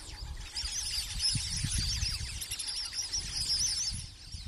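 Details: At Fog Dam near Darwin, Northern Territory, Australia, a flock of plumed whistling ducks gives a dense, continuous chorus of high, thin whistles rather than quacks. Many calls overlap at once over a low rumble of wind.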